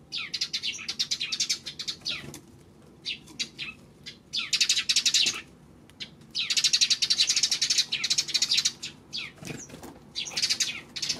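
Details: Sparrows on 26 May chattering: dense bursts of rapid overlapping chirps lasting one to two seconds, separated by short quieter gaps, as if several birds call together.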